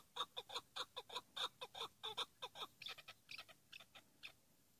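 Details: Chukar partridge, a hıngırmacı hunting decoy bird, gives a burst of loud rapid chucking notes that become ragged and trail off after about four seconds.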